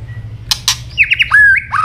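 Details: Fighting song of a White-rumped shama, a bird said to be changing plumage, with tail snaps. Two sharp snaps come before a quick run of down-slurred whistles and a long, clear whistled note.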